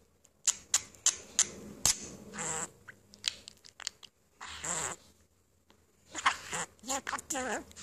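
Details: Pet budgerigar perched on its owner's finger, chatting away; scattered sharp clicks and short, warbled speech-like phrases separated by quiet pauses, recorded close up indoors.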